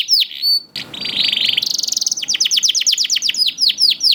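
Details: Canary chick song meant to prompt hesitant canaries to start singing; a few sharp swept notes, a dry buzzing rattle rising in pitch, then a quick series of high falling whistles.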